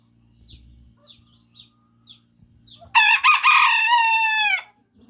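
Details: Small rooster that crows at exactly 5 in the morning, with a peculiar sound: one loud, harmonic-rich crow of about a second and a half, preceded by soft, short chirps and a low hum.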